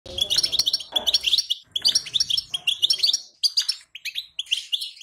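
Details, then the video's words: Female European goldfinch call, the kind of recording played to excite a male into singing: rapid bursts of bright, high twittering chirps with short pauses between them, and a soft low rumble early on. "بتبتة لتهييج الحسون! أقوى بتبتات للحسون الضعيف"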